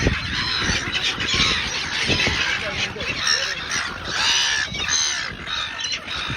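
Silver gulls give harsh, overlapping squawks and cackling calls continuously, several birds at once, with a faint voice possibly in the background.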